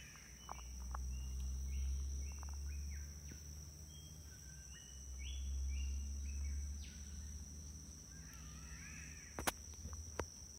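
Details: Catbirds singing in Moresby Range rainforest national park, Coquette Point, Queensland: runs of short, nasal, wavering midrange notes repeated a couple of times a second, over a steady high insect whine and low rumbling noise.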